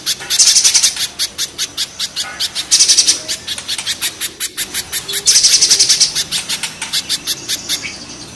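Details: Spiderhunters, the local kinds called pijantung gunung and pijantung pisang, in a harsh singing contest: rapid sharp high chips repeated about four per second, rising into louder ringing bursts that come in several waves.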